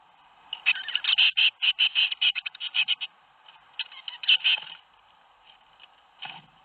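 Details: Nest-box tits in Théding, 21 May 2019, as seven young fledged. Loud, rapid runs of harsh ticking pulses sound for about two and a half seconds, then a pause, a shorter burst, and a last few scattered ticks in near silence.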